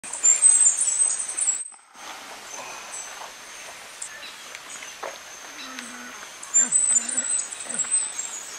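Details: Cuban grassquit recorded in Viñales, Cuba, in July 2017, giving very high, thin buzzy notes and a sustained hiss-like trill, briefly broken; faint low murmurs, possibly distant voices, underneath.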